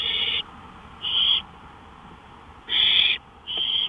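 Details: Night-time owl on a porch, early morning of May 5, 2013. Four rasping, noisy hiss bursts come at uneven intervals, each lasting a third to half a second, over a faint constant hum.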